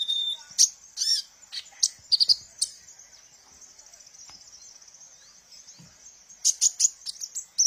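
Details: Sunbird song used as a lure for training captive birds: a brief lower whistle, then high rapid chips and twitters, a long quiet stretch, and a final run of bright chirps.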